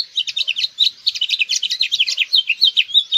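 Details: Rapid, tumbling House Finch song, a dense run of high chirps and slurred warbles for about three seconds without pause.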